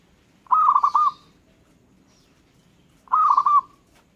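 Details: A local zebra dove repeats a rolling, bubbling coo twice, about two and a half seconds apart, with a faint high chirp between phrases as other birds respond.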